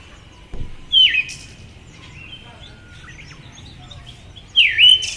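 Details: Female Siberian thrush giving two short slurred calls about three and a half seconds apart, each a sharp drop followed by a brief upturned whistle, over quiet background hiss.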